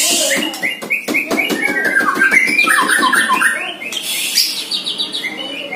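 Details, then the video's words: A one-year-old white-rumped shama, in its first training session facing a neighbour's shama, pours out a rich, rapid song of varied whistles and harsh chattering notes, several phrases a second, with a faint voice in the background. "Murai Batu "PANGLIMA" Pertama kali latihan langsung serang musuh"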